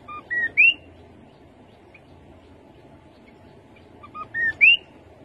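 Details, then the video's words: Rufous-capped babbler giving two short phrases about four seconds apart. Each phrase is a soft low note, a flat whistle and a sharp rising slur, with a quiet background. "Khướu bụi đầu đỏ. tiếng khướu đầu đỏ"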